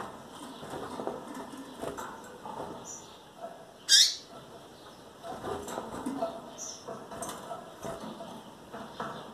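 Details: Single loud, brief high chirp sweeping downward from a female double-collared seedeater near breeding readiness and calling often. Steady background hiss and faint scattered ticks surround it.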